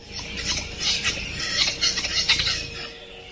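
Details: Male Cantabrian capercaillie (Tetrao urogallus cantabricus), northern Spain, during its display song on the lek: dry clicks and high hissing scrapes in irregular bursts, with one sharp pop among them.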